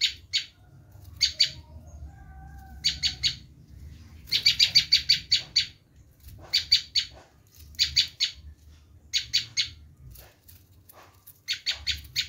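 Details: Bar-winged prinia screaming, a call used for luring wild prinias: short clusters of two to six harsh, scratchy notes spaced one to two seconds apart, with a longer fast run midway, over a low background hum.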